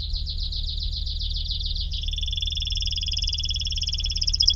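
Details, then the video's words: Canary delivering a continuous rolling trill that shifts midway into a faster, smoother two-toned roll, sustained without pause. ".تغريد طائر الكناري ...Nicest twitter canary"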